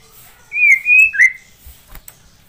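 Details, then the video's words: Caged white-rumped shama singing as master song for training birds: two smooth sustained whistles followed by a short upslurred note, then faint clicks. "Murai batu gacor,isian melimpah,cocok untuk masteran"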